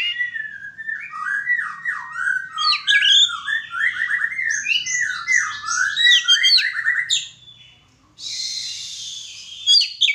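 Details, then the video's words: White-rumped shama during a mating pairing, pouring out a fast, loud, continuous run of scratchy and whistled notes for about seven seconds, then a hissing burst and a final sharp note. "penjodohan burung kacer"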